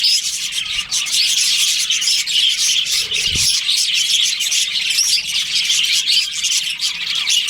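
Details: Budgerigar colony in breeding season, many birds chirping at once in a dense, continuous high twittering chatter with scattered sharp squeaks and whistles, one brief low thump midway.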